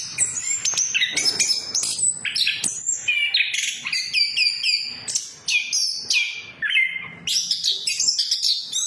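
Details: Orange-headed thrush song in the gacor ngeplong style, serving as a lure for silent birds: an energetic sequence of high whistles, quick upward and downward slides and rattling chirps, with short gaps between bursts.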